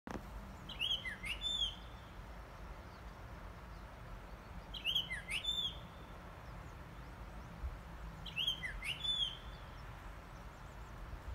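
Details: Japanese grosbeak song recorded 28 May 2021: a clear, fluty whistled phrase of a few slurred notes, repeated three times about every four seconds over a low rural background hum.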